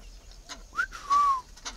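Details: Tame captive Chinese francolin: a sharp upslurred note, then a loud, drawn-out level whistle that sags slightly at its end, with faint clicks and knocks around it.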